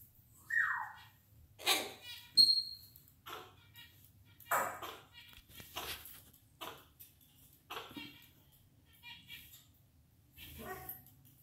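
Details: A pet moustached parakeet gives a string of short, harsh squawks and chattering notes, with one clear falling whistle and a brief high whistled note, indoors, while trying to console another bird.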